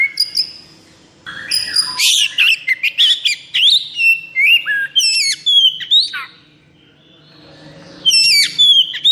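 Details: Oriental magpie-robin in full 'konslet' mode, with high breeding drive and full energy, pours out nonstop loud whistles, piercing upslurs and chattering notes. A pause follows, then the song resumes with a bright burst.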